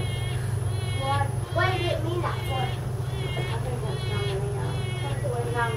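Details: In Jacksonville, Florida, a juvenile Wood Stork gives rough, nasal, bleating begging calls in short bursts every second or so, over a steady low engine-like rumble.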